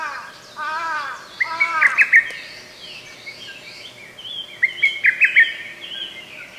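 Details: Lesser cuckoo song from a forest park, recorded 15 May 2024. Two quick, clipped multi-note phrases sound a few seconds apart. A different bird opens with stacked, falling notes, and soft high chatter continues in the background.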